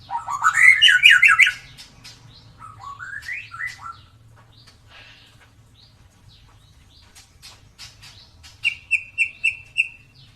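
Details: White-rumped shama with a klewer tail, a lure for birds that seldom sing: an opening loud warbling flurry, quieter scattered notes and clicks, then a closing run of about six rapid, evenly spaced high whistles.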